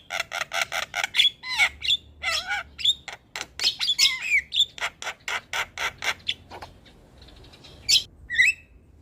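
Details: Javan myna singing to prompt a reluctant bird to start: rapid series of harsh chattering notes mixed with sharp whistled and squeaky slurs, then a pause and a couple of final whistles.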